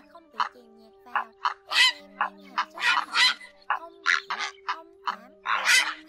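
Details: Grey heron 'ét ọc' flock call broadcast from two speakers to draw migratory birds into nets at night, August 2024; repeated coarse croaks and rasps, uneven in spacing and loudness, over a constant low droning tone.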